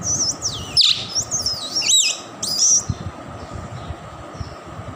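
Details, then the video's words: Tame two-year-old male plum-headed parakeet kept as a pet, giving a quick run of thin, high chirps and squeaky twitters in the first three seconds, then falling quiet; low background hum throughout. "Talking Plum Headed Parrot"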